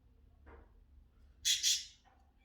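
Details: Pet cockatiel kept indoors, giving two loud, harsh, broadband screeches in quick succession, with soft background noise before and after.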